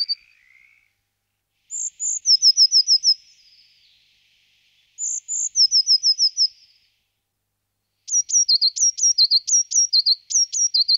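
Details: A Eurasian blue tit sings high, thin phrases: a couple of sharp opening notes dropping into a quick descending trill, repeated twice, then a faster series of paired high notes.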